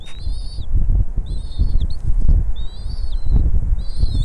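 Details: At a bald eagle nest, mother arriving with food for her chicks; three clear runs of high whistled, wavering chirps, each about half a second, separated by pauses, with constant low wind roar beneath.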